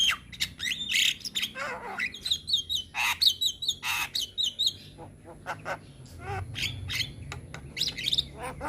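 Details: Energetic song of a young Javan myna with many mixed phrases: loud rasping squawks, quick warbled trills and descending whistles, then sparse clicks and a low background hum.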